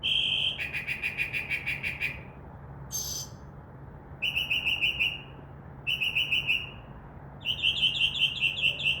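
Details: Northern mockingbird singing from a tree near a window at night, a mimic of crow caws and dove wings; long rapid whistled trills at steady pitch, broken by a brief high squeak, repeated several times.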